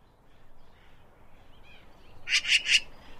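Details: Eurasian magpie giving a quick burst of three harsh, rasping notes near the end, after a faint, quiet stretch.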